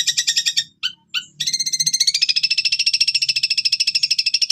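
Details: Long-tailed shrike (cendet) singing hard, a master recording for caged birds to learn from, filled with cililin imitations: rapid stuttering high notes, a short pause, then a long even buzzy trill pulsing many times per second.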